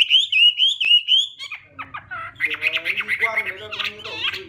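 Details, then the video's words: Chinese hwamei opening with several bright, repeated whistled slurs, then turning to a harsher, chattering and squeaky rush of mixed notes. "Chim Họa Mi | Chim Hoa Mi Hót hay Nhất năm 2017"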